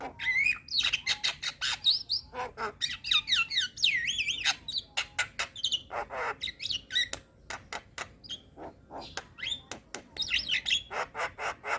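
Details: Young Javan myna singing energetically with varied material: wavering whistled trills, rapid sharp clicks repeated in long runs, and more warbled whistles near the end.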